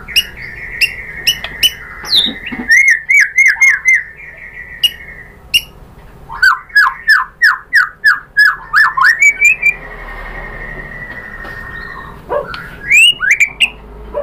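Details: White-rumped shama lure to provoke singing: long runs of rapid repeated slurred whistles and sharp clicks, a sustained steady whistle between bursts, and a final rising phrase.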